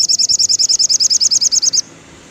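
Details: Rapid high-pitched trill of a crimson sunbird, called sogon locally, sung in the afternoon for birds in poor form: around twenty crisp, evenly spaced chirps in under two seconds, then silence.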